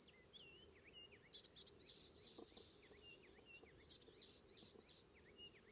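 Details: Icterine warbler singing on a May morning, 19 May 2016, on Ameland near Hollum, Netherlands: bouncing V-shaped whistles and sharp high bursts delivered in two energetic runs, with soft background noise.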